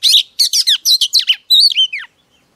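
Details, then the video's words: Female Oriental magpie-robin song meant to stir up a male, opening with a rapid run of scratchy buzzy notes and then clear whistles that glide up and down before a falling end note. "Chòe than mái HUÝT KÈM THÚC TRỐNG kích trống căng lửa"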